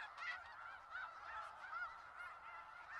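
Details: Snow geese in Skagit Valley calling en masse, a brief stretch of nasal, slightly rising honks from nearby birds over the ceaseless flock chatter.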